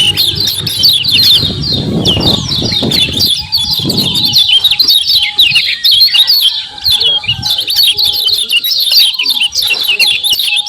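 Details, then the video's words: Lure recording of a common iora calling to provoke a quick reply: a steady stream of sharp, high chirps and twittering notes. A burst of low thumping or handling noise comes early, and a faint steady hum runs through. "KECIAL KUNING GACOR PERANSANG BUNYI CEPAT DIRESPON"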